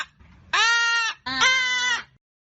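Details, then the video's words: Hyacinth macaw in nature uttering two long, rich, nasal squawks of about half a second each, the second slightly rougher, with faint low rumble underneath. "Canto Da Arara | Arara Azul | Arara Azul Cantando | Arara | Arara Na Natureza | Som Da Arara"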